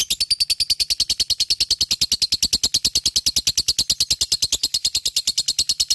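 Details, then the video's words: Ngekek from a fighter lovebird: a long unbroken rattle of shrill, evenly spaced pulses, very fast and steady, keeping one high wavering pitch for six seconds straight. "LOVE BIRD FIGHTER full ngekek GACORR"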